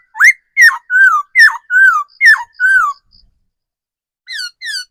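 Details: Decoy laughingthrush from the wild forest pouring out fast alternating whistles, sharp rising notes swapping with slurred falling ones, about two each second, then a pause and two softer closing whistles.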